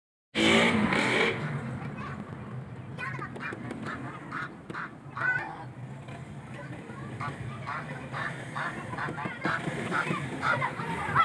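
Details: Little ducks quacking while eating: scattered nasal quacks and short squeaky calls over steady low rumbling and splashy feeding noise, with a loud burst at the start.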